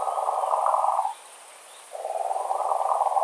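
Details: Breeding-season European nightjar by its nest with eggs and chicks at night: a continuous dry, purring churr, stopping for under a second before starting again, over a thin high background hiss.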